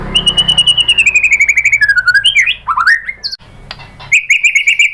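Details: White-rumped shama, reportedly a female calling a male, used as a lure: a long trill falling gradually, twisting swooping notes, a pause, then a renewed high rapid trill.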